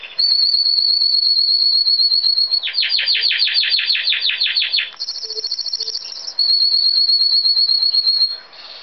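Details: A green Timbrado canary hatched in 2012 sings long, steady high whistles, then a fast rolling run of metallic pulsed notes and a thin, very high trill before the whistling returns.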